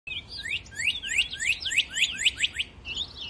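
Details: A Northern Cardinal in snow gives a fast run of about ten clear, rising whistled notes, three per second, over a faint low rumble.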